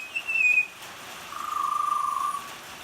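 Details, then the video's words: Butcherbird singing in the rain: a clear, high, flute-like whistle, then after a short pause a lower, longer whistled note with a slight waver, over a steady hiss of falling rain. "Butcher bird singing in the rain"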